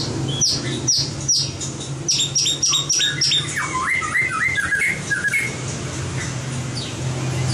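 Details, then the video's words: Training song for a competing white-rumped shama: sharp high notes repeated several times a second, then a cascade of slurred descending whistles, fading into steady low hum. "Luyện giọng chòe lửa - luyện chòe lửa hót đấu (murai batu)"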